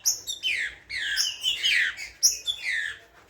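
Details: Spirited green-winged saltator giving a short run of loud, clear whistled notes, sliding downward, several phrases packed into a few seconds with no other clear sounds.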